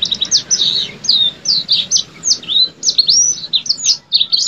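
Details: Yellow-fronted canary in lively gacor song, a continuous string of sharp high whistles, slurred rising and falling notes delivered in rapid bursts with brief pauses, clean background.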